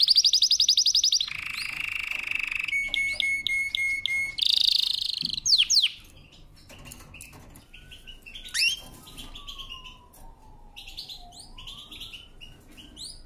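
A canary sings loud, rapid tours of high trills, rolling buzzy notes and repeated chips, then fades to softer chirps and long slurred whistles from other birds.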